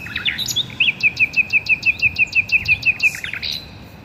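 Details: Birds chirping in a garden: a regular run of about fourteen clipped, bright notes spaced evenly over two seconds, framed by quick twittering before and after.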